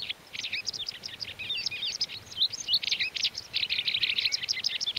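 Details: Rapid high chirping and twittering from a white wagtail, recorded in May 2019 in the mountains of León, Spain. Notes tumble almost without pause for five seconds over faint background hiss.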